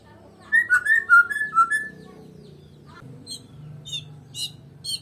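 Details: Medan-type white-rumped shama singing alone, a burst of rich warbled whistles lasting over a second, followed by faint scattered chips over a low background hum.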